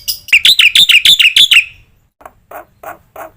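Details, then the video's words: Black-winged myna training song with full varied phrasing: a quick burst of seven bright, sharp chirps, followed by several softer, lower, rougher notes spaced apart. "suara masteran jalak putih full isian"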